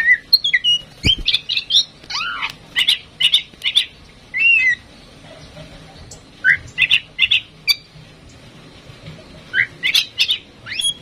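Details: A tame Oriental magpie-robin, used as a lure to prompt other birds to sing, sings rich, varied phrases of sweet whistles and harsh chattering notes in bursts, with short pauses between them.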